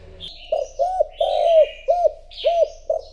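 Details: Decoy spotted dove urged to coo to lure in wild doves: a steady series of soft, hollow, low coos, about six notes in three seconds, with brief higher chirps of other birds between them.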